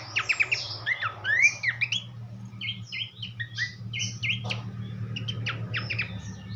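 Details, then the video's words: Horsfield's babbler (pelanduk semak) tutor song for songbirds: a lively opening of sharp, quick notes, then short whistled and harsher squawk-like phrases at a steady pace, over a noticeable low hum. "vokal mewah sang guru masteran khas pelanduk semak"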